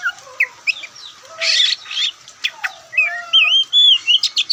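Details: Relaxed song of a white-breasted Oriental magpie-robin (Kacer Poci): loud, varied phrases of clear whistles, slurred upsweeps and sharp chirps, with short pauses between bursts.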